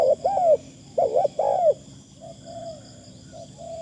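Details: Spotted dove kept as a decoy, praised for a good voice and light delivery: arching coos in quick succession, then fainter distant coos answering softly, over a steady shrill insect background.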